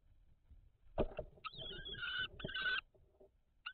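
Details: Common kestrels at a nest box during a food transfer on 17 May 2023. Two drawn-out, harsh whining calls, each under a second, come close together, with scratching and thumping inside the box.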